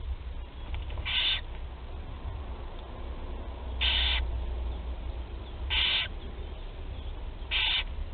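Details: Young barn owls being fed for the first time, Théding, 8 July 2020: four short raspy hisses spaced roughly two seconds apart, with a low rumbling background.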